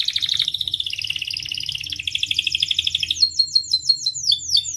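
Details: Canary song used as a master and lure for training canaries: a rapid rolling trill that wavers up and down, giving way to a series of quick descending whistled notes near the end, over a faint low background hum.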